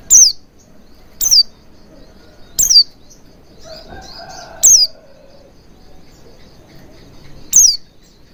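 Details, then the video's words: Oriental white-eye song used as a lure to make birds sing readily with wide-open beaks: five sharp, high, downslurred whistled notes spaced irregularly one to three seconds apart, with a faint low murmur midway. "Pancingan Burung Pleci Agar Cepat Ngalas & Buka Paruh Maksimal"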